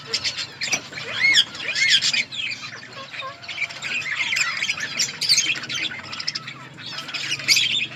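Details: Budgerigars in an outdoor colony chatter while feeding, mixing rising whistled chirps, squawks and warbles from several birds in a steady, overlapping stream.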